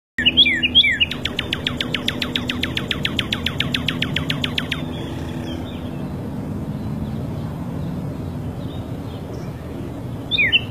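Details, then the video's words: Wild Northern cardinal singing in freedom: a few slurred notes, then a long rapid series of about thirty sharp, downslurred whistles lasting three seconds, followed by quiet with low background rumble. "Cardenal de virginia cantando en libertad!"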